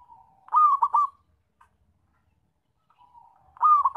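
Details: Zebra dove, a loud caller for lures and traps: a soft lead-in coo, then a quick rolling triple coo, a pause, and the same rolling phrase again.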